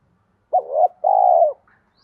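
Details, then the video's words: A single cooing phrase from a spotted dove with a 'giọng đồng' (bronze) voice, used as a lure for wild doves. A brief wavering note leads into a longer, level, low mellow coo. "Cu gáy giọng đồng pha thúc Gù Kèm Mắt Me rút chim bổi cu gáy rừng nhanh về cội"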